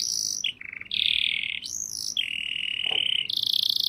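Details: Canary singing: long sustained whistled tones held at steady pitches, shifting between low, mid and high notes, with quick stuttering trills between phrases, clear and close with a quiet background.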